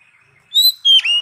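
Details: Oriental magpie-robin producing two loud, pure whistled notes, the second sliding downward, after a faint quiet start.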